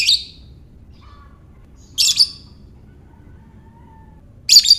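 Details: Shrill chattering bursts from a lovebird, ngekek style, used to stimulate other lovebirds: three harsh squeaky bursts spaced about two seconds apart, with faint thin whistles between them.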